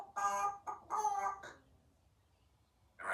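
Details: A 3-year-old female Congo African grey parrot, kept as a pet in a country home, speaks short mimicked phrases indoors in an afternoon session: quick bright syllables, then a pause before another burst.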